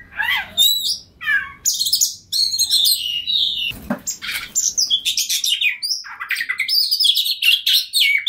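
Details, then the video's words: Full ngobra song of a kacer (Oriental magpie-robin), used to make a rival bird sing quickly: varied phrases of slurred whistles, crackling buzzes and rapid chatter, a brief broadband knock midway, then fast repeated twitters. "KACER NGOTOT PANCINGAN TERBAIK BIAR KACER LAWAN CEPAT GACOR, Kacer Gacor Full Ngobra"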